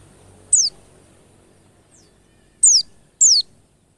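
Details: Lure for white-eyes, used to make them sing quickly: three high, thin whistles, each dropping steeply in pitch. One comes early, then two arrive close together near the end, over low soft noise.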